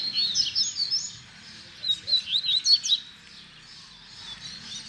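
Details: Tutor song of a double-collared seedeater in the baderna style, for teaching young birds to sing. Quick high chirps and down-slurred whistles come in two bursts separated by a short pause.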